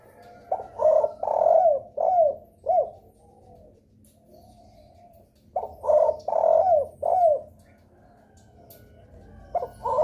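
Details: Spotted dove giving a lure call that other doves answer; soft, low cooing phrases of about five notes with a stretched middle note and a descending last coo, repeated after a pause of roughly three seconds.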